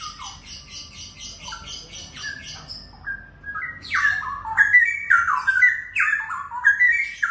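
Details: Young wild-caught Straw-headed Bulbuls, a DNA-confirmed male and female pair, sing a loud, rich, bubbling warble of quick rising and falling phrases, opening with rapid repeated buzzy notes before the fuller song.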